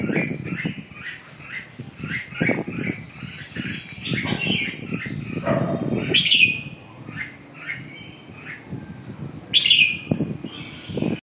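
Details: Red-whiskered bulbul calling in a quick series of short chirpy notes, broken by two loud, sharp warbled bursts a few seconds apart, over frequent low thumping and rumbling background noise.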